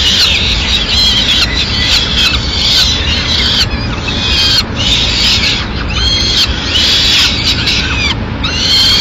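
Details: Female peregrine falcon bringing a pigeon to the nest, Madrid, 6 May 2016: raspy, insistent wailing calls in repeated bouts of about a second or two, steady hum underneath.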